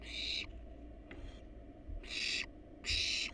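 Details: Wild barn owls at a research nest box, parents perched on top while nestlings stay inside; loud, rasping hiss-like screeches, three long bursts with a faint short one between, against constant low background hum.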